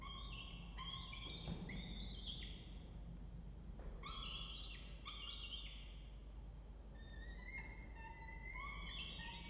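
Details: Peregrine Falcons at a nest box in a water tower in Orange, New South Wales, Australia, are recorded on 2 November 2024 at 08:07 while raising nestlings about four weeks old. Loud, harsh, ringing calls come in quick bursts every second or so, with thinner rising notes near the end, over a low rumble.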